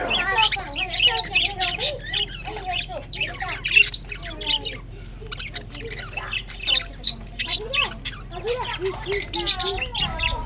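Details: Budgies on the morning of February 24, 2024 keep up a long stream of squawks and chirps, with rising and falling warbled notes and loud high bursts at irregular intervals.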